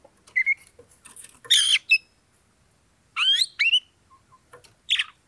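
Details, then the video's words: Oriental magpie-robin (kacer) singing to bait a rival into fighting. Grating squawks and a harsh buzzy burst mix with looping upward-swept whistled notes. The phrases are short and come in irregular bursts. "pancingan kacer EMOSI NAIK PELAN - PELAN"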